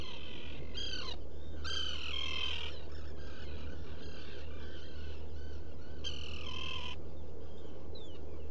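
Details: Nesting black guillemot in a shallow burrow, Seal Island NWR, Maine, burrow camera, dawn on 14 June 2018: loud rasping, harmonic squealing bursts about a second long with quieter notes between, steady low hum throughout.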